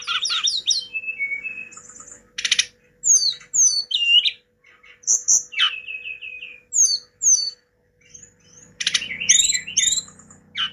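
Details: Tledekan gunung, the Hill blue flycatcher, in full lively song: fast, varied phrases of chirps, sharp downslurred whistles and short trills, given in bursts separated by brief gaps, with a low steady hum beneath.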